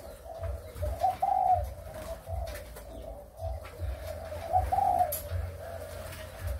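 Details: Spotted doves kept for breeding, Malaysian and Thai lines, recorded 23 August 2021; soft low cooing phrases around the same pitch, repeated every second or so, with a brighter rising note near the start and end, over steady low hum.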